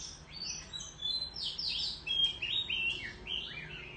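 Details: Countryside Oriental magpie-robin in a singing contest, tail spread, delivering clear rising and falling whistled notes mixed with short sweet trills and chirps, loud and varied.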